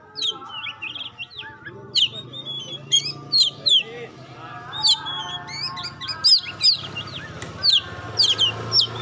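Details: Indonesian kept Oriental magpie-robin delivering repeated downslurred whistles and sharp chip notes at uneven intervals over a constant low droning hum, the phrases growing louder toward the end.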